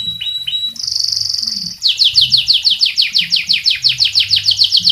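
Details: Lively canary singing as a tutor model for other birds. A few sharp notes lead into a steady high buzzy roll, then a long run of quick descending whistled syllables repeated about three times a second.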